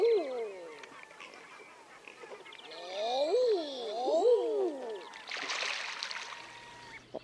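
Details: A Common eider coos, a drawn-out rising-falling moan, then two more overlapping arched coos midway. A burst of rushing noise follows near the end.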